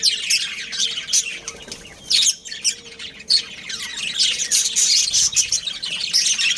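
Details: Breeding pair of budgies kept at home. High scratchy chatter with squawks, broken by two sudden louder harsh bursts partway through, then steady twittering resumes.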